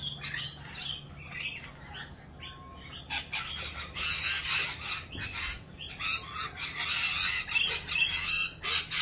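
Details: Rainbow lorikeets in mating season, more raucous than usual while doing their mating dance: dense overlapping harsh high screeches and chatter from several birds, bursts every fraction of a second with hardly a pause.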